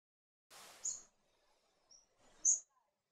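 A White-breasted Robin gives three short, very high, thin notes spaced about a second apart, each over a brief burst of scratchy, rustling noise.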